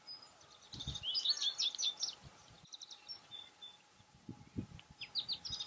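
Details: American goldfinch in winter at a sunflower-seed feeder: a jumbled, rapid twittering of high notes at the start, quieter chips later and another short twitter at the end, with low thumps and handling noise throughout.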